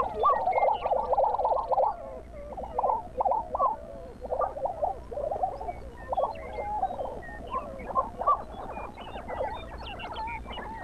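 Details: Several lesser prairie chickens calling in the early morning on the Southern Great Plains near Buffalo, Oklahoma; bursts of gobbling, bubbling notes and short yelps overlap continuously, loudest in the first few seconds, with softer chatter behind.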